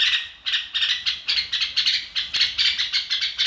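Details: Red-whiskered bulbul in lively "ro kích bổi" song, short bright chirped notes repeated about once per second in an even, pulsing run with no other sounds.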